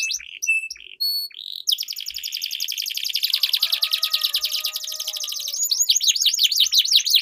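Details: Canary song in a duel, meant to stimulate silent canaries and tutor contest birds; opens with a few clear whistled notes, then a long dense buzzing roll with a faint lower tone beneath, ending in quick sweeping notes.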